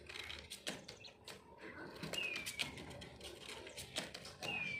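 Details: Puyuh batu (king quail), known as pipikau ngorok: a pair of high, thin, falling whistles about two seconds apart, set against rustling, tapping noises and a faint low drone.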